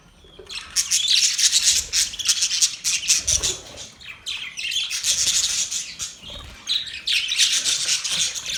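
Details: Budgerigars chirping: dense, continuous high warbling chatter with squawky notes, several birds overlapping in bursts, a brief dip near the middle before the chatter returns.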